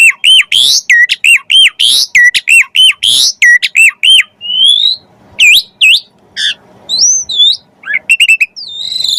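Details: Javan pied starling material for tutoring caged magpie-robins: a rapid run of loud looping whistled notes, followed by scattered rising sweeps, sharp chips and high warbled slurs.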